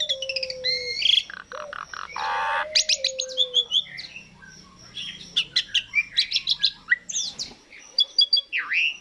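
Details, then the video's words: Asian pied starling singing in a lure recording meant to set other birds singing: a long low whistle, a rasping harsh burst, then rapid varied chirps, clicks and squeaky whistles ending in a swooping note, with a low hum early on. "Pancingan jalak suren langsung bunyi"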